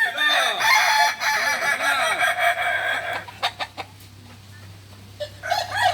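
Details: Kukuak Balenggek roosters at a joint training session in Ampang Kualo, Solok city, Indonesia: a loud multi-part crow with rapidly repeated, bouncing syllables for about three seconds, clucks and clicks after, another crow starting at the end.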